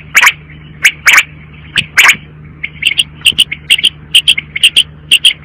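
Quail giving sharp, clipped notes, first spaced out, then in quicker bursts of two or three, over a low steady electrical hum.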